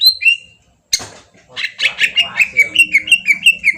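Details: Green leafbird lure song: two whistles, a short break and a noisy burst, then a fast even run of descending whistled notes near three per second.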